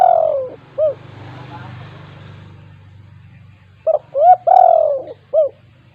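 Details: Spotted dove, a keen caller in the 'kuk 2' style meant to stir quiet doves: the end of one coo phrase, a hissy pause, then a full phrase of short notes around a long falling coo.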